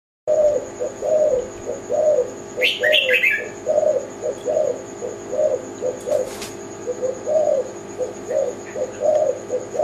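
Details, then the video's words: Zebra dove, known locally as tekukur Kelantan, singing a series of low, soft, bubbly coos about once a second. Brief higher chirps from another bird come in midway, over a steady faint high whine. "Burung Tekukur Kelantan"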